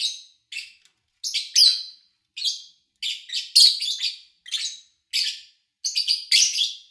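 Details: Lovebird chirping captured early August 2019 during a three-day session with reduced human activity: roughly a dozen piercing, buzzy chirps, some doubled or tripled into short chattering clusters, spaced irregularly.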